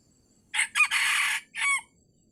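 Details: Wild red junglefowl in Sumatra, lured with a decoy near the end of the fasting month, gives a loud harsh crow: a short burst, a longer sustained middle note, then a clipped final note, all within about 1.3 seconds, over a quiet background.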